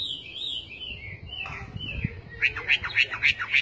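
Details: Chinese hwamei song: gliding whistled phrases that slide downward for about two seconds, then a quick run of about six sharp, evenly spaced notes. Faint low rumbling lies underneath.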